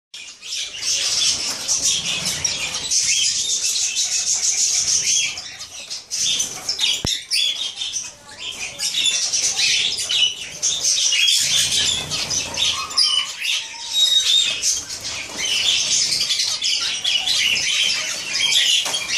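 Dense, high chatter of many zebra finches, a busy mix of nasal beeps and rapid twittering.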